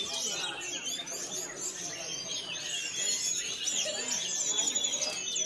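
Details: A captive Javan whistling thrush, recently acquired online for contest singing, gives rapid, busy high chirps and sweeping whistled notes in quick succession, over a steady murmur of background sound.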